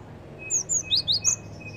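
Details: Lure recording of a Java sparrow: five bright, high, slurred chirps in rapid succession midway through, with a faint steady whine and low hum behind.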